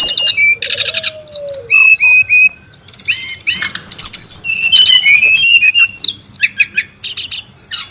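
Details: Brown-chested jungle flycatcher in the wild, busy and noisy: buzzy trill bursts, a long low falling whistle, then paired clear high whistles and a fast run of varied chirps and slurs.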